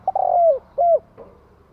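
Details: Kept spotted dove, a decoy bird that quickly rouses wild doves, giving a short phrase of deep, hollow coos: two falling, drawn-out notes followed by a faint third, in a quiet room.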